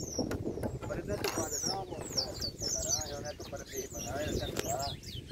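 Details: Chopi blackbirds singing in nature: a dense tangle of clear whistled notes and quick chirps, many sliding down or up, repeated throughout over a steady low rumble, with a voice-like murmur at times.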